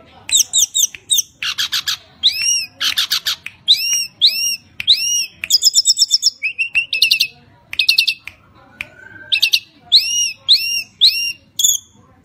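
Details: Tledekan gunung singing loudly to lure other birds: arched whistled notes repeated in sets of two or three, interspersed with rapid ticking bursts and buzzy trills, plus one lower soft whistle near the end.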